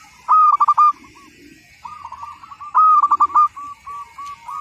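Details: Local Zebra dove singing steadily, a recording meant for training: two loud phrases of rapid stuttered coos, each trailing into a row of softer rolling notes.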